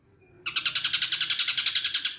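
An Ashy drongo gives a fast, harsh, chattering rattle of about fifteen ringing notes, nine or ten a second, copying a kingfisher's call.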